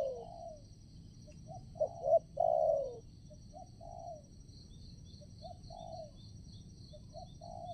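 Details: Spotted dove kept as a decoy bird to lure wild doves for trapping at a new site; two quick soft notes then a longer descending coo, with fainter coos from another dove and a steady high insect drone behind.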